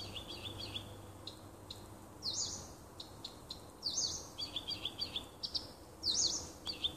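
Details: Nightingale song near a house in a small wood, 30 June 2015: rapid chattering trills and pulsed notes building into loud bursts, against low background hiss.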